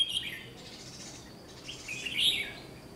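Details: Red-whiskered bulbul at a trapping site, a bird in training for competitive singing, recorded 1 July 2020; two short bright whistled phrases, one near the start and one after two seconds, over a quiet background.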